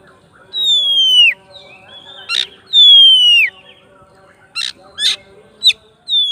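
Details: Oriental magpie-robin calling to a rival with ngeplong song: two long, clear descending whistles followed by several short, sharp chip notes in quick succession.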